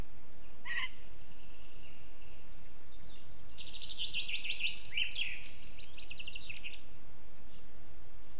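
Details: Lesser spotted eagle at its nest 17 m up in a spruce in western Zemgale, Latvia, 16 April 2024 at 12:07, gives a single thin note, then a quick run of high yelping notes over about two seconds, against low wind rumble.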